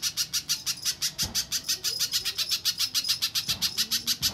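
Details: Little spiderhunter, played to make other spiderhunters respond with song. Shrill chips repeat in quick succession, with two dull thumps in the background.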